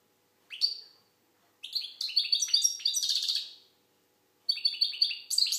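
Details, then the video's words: European goldfinch of Algerian type in full song, a single chirp then a long run of fast, jangling twitters and a buzzy trill, followed after a pause by another bright tinkling phrase; faint hum in background. "Chardonneret algérienحسون. مقنين"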